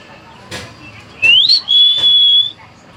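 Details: Common hill myna kept as a talking bird, giving one clear whistle that rises quickly, dips, then holds a steady high pitch for about a second, after a few soft clicks and faint speech.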